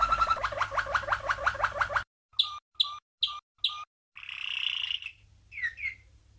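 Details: Malinois (Waterslager) canary, a champion bird from 1997, singing training song for young canaries: a fast rolling trill of repeated notes, then short clipped whistles and a buzzy rattle ending in rising chirps.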